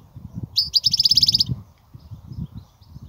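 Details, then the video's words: European goldfinch in the 'kobia' song style delivers one fast, even trill of about a dozen bright repeated notes lasting under a second, set against steady low rumbling noise. "الحسون,- لغة الكوبيا الرائعة"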